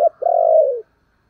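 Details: Decoy spotted dove calling wild doves in: a brief low note, then a long, even, hollow croo held for over half a second before sliding downward and stopping.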